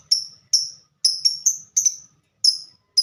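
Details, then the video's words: Lovebird singing in the ngetik (typing) style, described as a fighter: sharp, high, clipped chips, about eight in three seconds, spaced irregularly with short pauses between them. "Burung Lovebird Suara Ngetik Dan Sama² Fighter"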